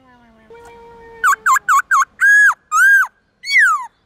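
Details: Many-voiced morning forest song of a white-cheeked laughingthrush, meant for training young birds: a faint steady tone first, then four quick V-shaped whistles, two arched notes and a falling slur.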